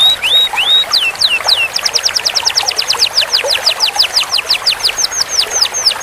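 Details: Canary song used as training material for long rolls: opens with a few slurred whistles, then a steady run of sharp descending sweeps, about three per second, high and ringing over a quiet background.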